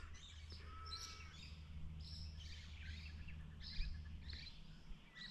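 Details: Red-winged Parrots flying overhead on a rural travelling stock reserve near Barraba, NSW, give faint, high, metallic chips roughly once a second over a steady low rumble of wind or engine, with a brief whistle from another bird.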